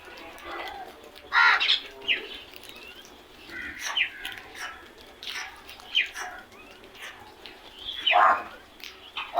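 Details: Crows making loud noise. Harsh cawing calls ring out at irregular intervals over a noisy background, several calls overlapping at times.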